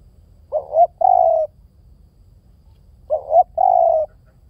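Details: Two calls from a spotted dove, each a short rising coo pair followed by a longer flat coo, about two and a half seconds apart, in a quiet setting.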